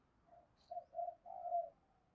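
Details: Spotted dove used as a decoy to lure wild birds, giving one soft, distant phrase of short hollow coos ending in a longer drawn-out note, over a low background hiss.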